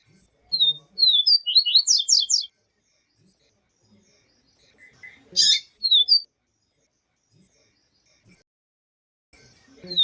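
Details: Yellow-bellied seedeater, locally papa-capim viviti, paired with a female's call for warming up a male: bursts of high, squeaky chirps and slurred notes separated by quiet gaps, with faint soft clicks in between.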